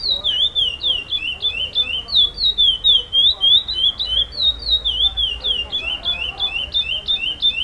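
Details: Winning curió preto, the chestnut-bellied seed finch, in a FEBRAPS competition, repetition style: a long, rapid sequence of sharp whistled notes swooping down and up, repeated about three times a second, with faint voices in the background.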